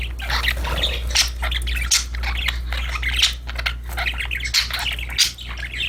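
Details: Several playful budgerigars keep up busy, overlapping chatter: fast scratchy twitters and squawks filling the whole stretch with almost no gaps.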